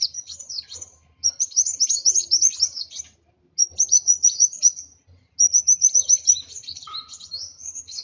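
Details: Sunbird known locally as kolibri wulung, worked up and agitated, gives three bursts of high, sharp, jumbled chirps and twitters separated by short silences, with a faint low thudding background.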